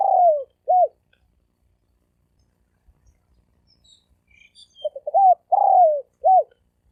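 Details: Spotted dove in fast thổ ồm vang style: a descending coo and a short arched note, then a long silence broken by faint high chirps. It ends with a fresh phrase of stuttered notes, a falling coo and a final hooked note.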